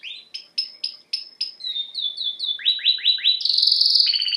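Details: Canary singing: a run of repeated sharp rising-falling notes, then descending slurred whistles sweeping down in quick series, ending in a loud rapid trill; clean background.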